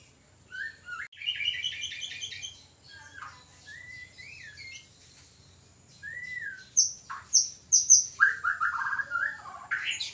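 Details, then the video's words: Caged white-rumped shama's breeding-time song: rapid buzzy trills, soft rising whistles, then a loud run of sharp upward notes and a rattling trill near the end. "Pancingan ampuh murai kawin ||Terapi burung murai susah birahi dan kawin."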